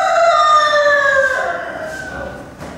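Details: Rooster at a Normandy poultry breed championship in a market hall at Gournay-en-Bray, France, December 2016, giving a long, strained, slightly falling crow lasting over two seconds, with faint hall noise behind.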